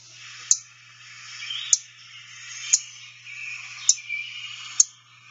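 Golden-winged Warbler giving five soft, very high, sharp 'tip' chip notes about a second apart, over a faint hiss and low hum.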